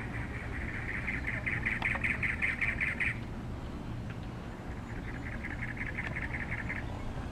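Cactus wren giving two harsh, rapid chugging rattles, each about a dozen even notes over two seconds, against a low steady rumble.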